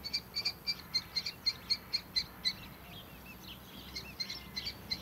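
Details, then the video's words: Juvenile common kestrel on the ground below a barn nest box on a farm in the early morning, calling for attention: a rapid run of sharp, high repeated notes, about four per second, then softer scattered chirps. "Juvenile Kestrel gathering for attention"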